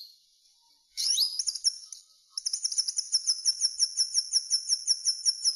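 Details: Singing common linnet: an upward-sweeping slurred phrase with twitters, a short pause, then a brisk series of high double notes repeated evenly.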